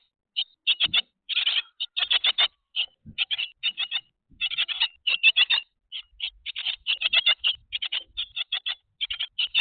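Grey tits give harsh, rapid chattering bursts, high-pitched and repeated in quick clusters with brief pauses, sounding like several birds calling at once.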